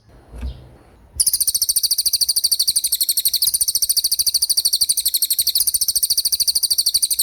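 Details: After a short low thump, a Common iora bursts into its fast 'gacor roll speed' trill, high, buzzy notes rattled off in a steady unbroken stream for six seconds.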